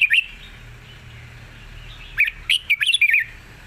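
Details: Red-whiskered bulbul giving soft-voiced long song with chatter: a brief opening whistle, a quiet pause over low hum, then a lively run of sharp, twisting whistled notes.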